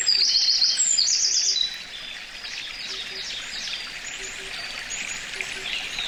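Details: Eurasian wren at Karuizawa Wild Bird Forest in Nagano, Japan, May 2019, binaural recording: a bright burst of fast high trills, then quieter distant twittering, while soft low double hoots repeat every second or so.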